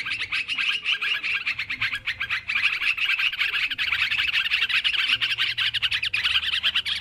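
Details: Noisy sooty-headed bulbul calling from a bird-luring recording: a continuous, unbroken stream of fast, bubbly chattering notes as several birds call over one another.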